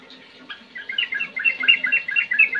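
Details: Trucukan, the sooty-headed bulbul, starting quietly with a few scattered notes, then breaking into a rapid, jumbled string of sharp, clear chirps that grow louder toward the end, against a faint low background murmur.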